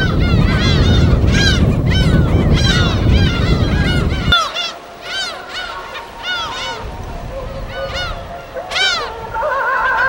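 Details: Gulls of a natural colony on an uninhabited island in Korea's West Sea: dense repeated arched yelps over loud surf for four seconds, then the waves fade and clearer calls follow, ending in drawn-out level wails.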